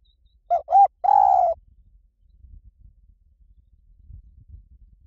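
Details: Spotted dove singing in the Liw Tan style, a phrase for luring and training a dove to answer: two quick rounded coos, then a sustained coo, followed by several seconds of faint low rumble.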